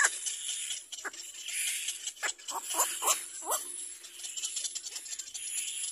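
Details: Little black cormorant chick crying for its mother to feed it: a few harsh, descending squawks spaced irregularly through the middle, over a constant high hiss.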